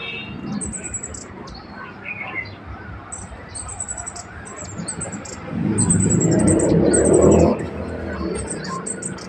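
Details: Small birds playing in a peach tree give high, thin chirping calls, repeated in quick bursts throughout; a low rumble of wind or handling noise swells midway.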